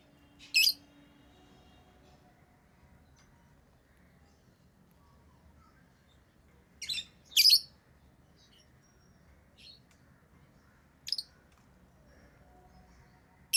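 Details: Pet lovebirds making sparse, sharp, shrill chirps, one near the start, a loud double burst mid-way and another later, with long quiet gaps and faint squeaks.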